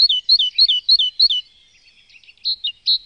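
Great tit song: a bright two-note phrase, high then lower, repeated six times in quick succession, then a pause and a few more scattered high notes.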